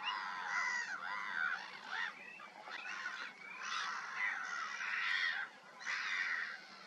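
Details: Great white pelicans at Greece's Kerkini Lake producing a chorus of hoarse honks and grunting notes in uneven bursts, with a short lull before a final loud call.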